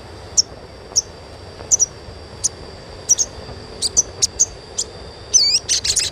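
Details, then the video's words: Asian pied starling chirps played as therapy to stimulate young untrained starlings to sing: short sharp high notes spaced irregularly, ending in a burst of rapid looping whistled notes, over a steady high electronic hum. "SUARA CUITAN SOGON UNTUK PANCINGAN SOGON BAHAN AGAR CEPAT GACOR"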